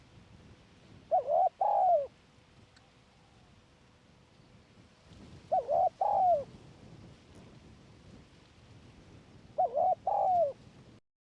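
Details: A Spotted Dove perched in a tree near a decoy trap gives three soft, low cooing phrases about four seconds apart, each a quick pair of short notes and then a longer drawn-out coo.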